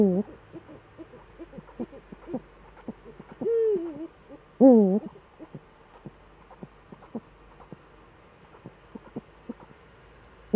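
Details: Evening of 11 March 2013 in the Eifel, Germany, both Eurasian eagle-owls back; mostly soft knocking and tapping, broken by a low drawn-out note and a loud wavering call, and a call starting at each end.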